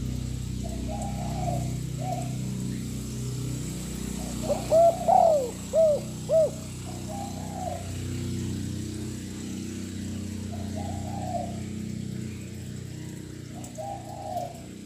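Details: Spotted dove cooing continuously to rouse other birds: a short cluster of clear coos midway, with softer, more distant cooing repeated before and after against a rumbling low background noise.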